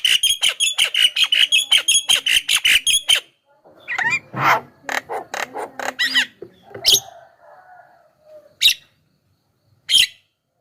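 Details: Javan myna song meant to call wild mynas: rapid run of sharp repeated clicking notes for three seconds, then harsh squeaky chatter, whistles and a few isolated sharp notes with pauses.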